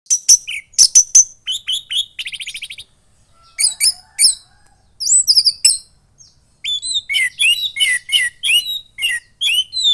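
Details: Caged young orange-headed thrush from Klaten, Central Java, moulted twice, in loud full song: rapid bursts of high chattering notes, buzzy trills and varied mimicked phrases separated by short pauses.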